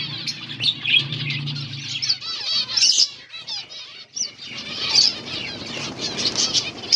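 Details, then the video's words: Several finches eating green food on August 17, 2024, giving scattered bright chirps and short twittering runs, with a few piercing high notes, a low hum fading out after two seconds, and rustling. "Beautiful finches eating green food birds chirping sounds"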